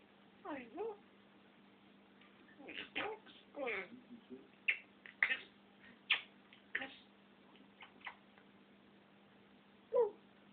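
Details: Pet African grey parrot indoors, talking in a series of short speech-like utterances with sliding harmonic syllables, sharp clicks and a loud final word, separated by brief pauses over a steady low room hum.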